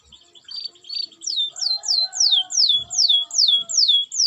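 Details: Singing canary, used to stimulate lazy canaries into singing: a run of bright downward-sliding whistles repeated about twice a second, preceded by two softer high notes, with faint lower warbling tones behind.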